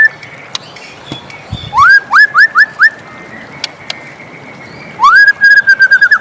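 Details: White-rumped shama in the morning, short sets of rising whistled notes repeated quickly, with a faint steady whistle and occasional clicks in the background.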